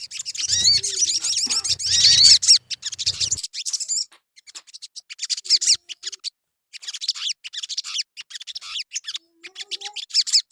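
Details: Crimson sunbird (sogon) song used as a lure to get caged birds singing: rapid, high, thin twittering and chattering bursts, dense at first, then scattered sharp chips with brief pauses and faint low thumps.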